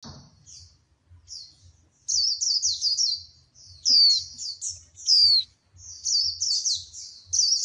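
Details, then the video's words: Female white-eye prompting a male to sing, heated style: bursts of very high, thin, rapid twittering with slurred descending notes, broken by short pauses, over a faint low hum. "Tiếng chim khuyên mái kích trống hót, kích lửa !!!"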